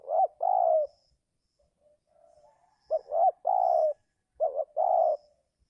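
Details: Cooing of a spotted dove, used to attract wild doves in the 'giring' season. Two low hollow phrases, each with two quick notes and a long steady coo, are separated by a pause with a faint soft murmur. Light chirps are heard above.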